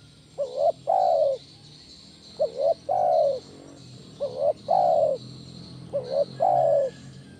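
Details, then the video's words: Spotted dove lure call, 'kuk 1' style, for stimulating other doves: four evenly spaced phrases about every two seconds, each a short two-part rising note then a long full coo, over a steady high hiss. "SUARA BESAR PANCINGAN TEKUKUR KUK 1 GACOR"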